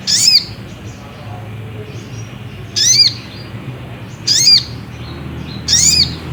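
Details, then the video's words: Provoking song of the Ruby-cheeked sunbird, used to make another bird sing: four piercing, high, slurred notes repeated roughly every one and a half seconds against quiet low background noise. "bikin SOGOK ONTONG tambah EMOSI || PANCINGAN SOGON agar BUNYI"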